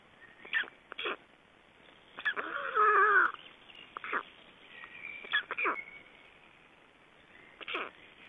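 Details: Black storks in Estonia at the nest on 31 May 2012, during a nest change, feedings and the bringing of nest material: short hoarse bursts, then a longer wheezy harmonic call, with further rasping notes spaced irregularly.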